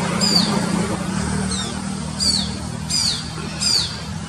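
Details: Shikra calling from a high tree beside a busy road in Mysore, recorded by mobile phone: sharp, high, down-slurred piercing notes repeated about every second, five in all, over constant rumbling traffic noise.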